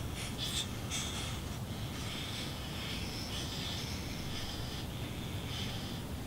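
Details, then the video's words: Red-bellied woodpecker nestlings, about day 23 of nesting and very active, beg with a steady raspy, hissing buzz that swells in brief surges, over a low rumbling background. "Red-bellied woodpecker baby sounds"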